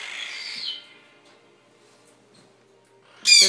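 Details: A loud sun conure, a medium-sized parrot up for adoption at an avian vet, gives a loud, harsh, high-pitched squawk with a quiet pause between bursts.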